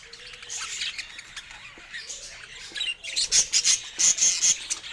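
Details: Happy pet budgies: soft low whistles and scattered chirps at first, then a run of sharp, bright chirps repeated about three times a second over background twittering.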